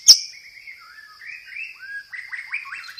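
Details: White-rumped shama, a tutor bird with sparrow-fight fill-ins and roll-tembak phrases, giving a short run of soft, gliding whistles that rise and fall, after a sharp click, over a steady high tone.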